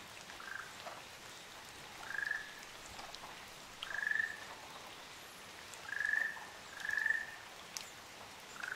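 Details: Ryukyu ruddy kingfishers, a pair on Amami Oshima in Japan, repeat steady rolling trills at about two-second gaps. Two trills come back to back near the end, then a lower one is cut off. Dripping sounds continue underneath.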